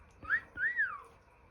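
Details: A pet African grey parrot, known for clicks, squeals, pops and electronic sounds, gives two quick whistled notes, the second longer and arching up then sliding down, in a quiet indoor room.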